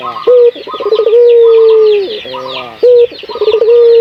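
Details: Local puter dove calling as a lure to set other doves cooing. A brief low hoot, a rapid rolling stutter, then a drawn-out even coo over a second long, repeated, with constant high twittering of small birds behind.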